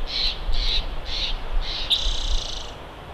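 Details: Bald eagle at a Big Bear nest, live camera: four shrill high notes in steady succession, ending in a longer, drawn-out squealing call.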